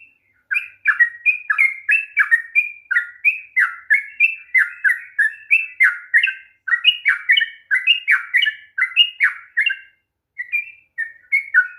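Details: Sooty-headed bulbul in a long rapid 'ropel' song, used to provoke a reluctant bird into singing: bubbly, slurred two-part whistled notes repeated quickly in a steady stream, with a short pause near the end.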